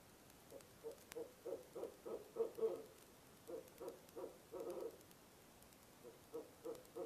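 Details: A barred owl visiting a nest box at 2am in November utters the monkey call, an excited series of quick, uneven hoots building to a clustered burst, then a brief gap and further short notes.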